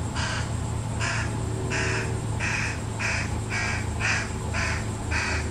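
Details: Fish crows, parents feeding a fledgling; a quick run of about nine nasal, buzzy caws, roughly two per second, loud over a low engine-like hum.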